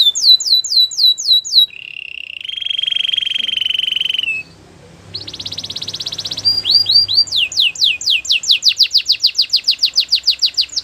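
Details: Canary singing to stir other canaries into song: downslurred whistles, a long rolling trill, a harsh buzzy burst, then a rapid run of descending notes growing quicker.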